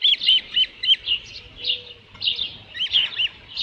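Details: Osprey with a headless fish at the nest, 27 June 2018 around 12:48 PM: quick series of arched, piping whistles, clustered in bursts with short gaps between.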